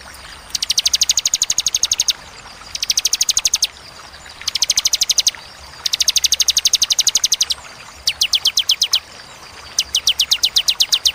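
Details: Bar-winged prinia giving sharp, clear song bursts with pauses: high, rapid ticking trills of about a second and a half, separated by short pauses, over a faint low hum.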